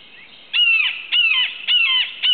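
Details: Wild Red-shouldered Hawk perched while hunting and preening near Suwannee River State Park, Florida, on the morning of July 31, 2011, gives three loud, harsh, high ringing down-slurred kee-ah calls, about two per second.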